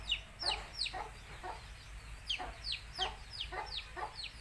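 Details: Country chicken chicks (nattukozhi) from Tamil Nadu peep loudly, each call a bright, steeply falling whistle, about two to three per second, with softer clucks beneath and a low steady hum.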